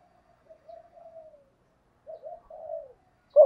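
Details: Spotted dove cooing, a recording used to lure wild doves: soft low hoarse coos in two short phrases, each a few blurred notes ending in a falling drawn-out tone, with a brief louder burst at the very end.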